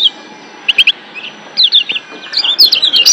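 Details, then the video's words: Wild-caught Lombok white-eye (kecial kuning), excited in breeding condition, giving ciak song: high, thin chirps, a quick triple burst, then clustered sharp downslurred notes growing busier toward the end. "Ciak Joss Kecial Kuning GEBOKAN LIAR Ampuh Naikin BIRAHI Bikin AKTIF BUNYI"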